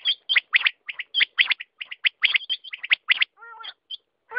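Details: Quail give a fast, uneven string of short, high chirps, then a couple of lower, wavering, harmonic whines.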